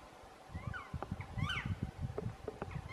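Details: Several brief, chevron-shaped calls from a black woodpecker at a display site. They are loudest in the middle of the stretch, above constant low-pitched rumbling and scattered knocks.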